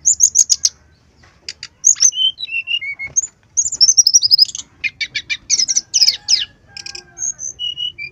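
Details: Brown-chested jungle flycatcher in lively gacor song, used to lure other birds into singing. Quick high chip series, short falling whistles, a dense twittering run and buzzy rattles, with thin whistles near the end.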